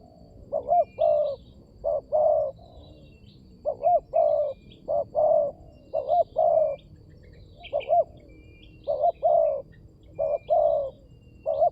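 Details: Long run of spotted dove lure cooing for attracting other birds. About nine two-part phrases: a brief quavering note, then a fuller steady coo, repeated at an even pace. Faint high chirps throughout.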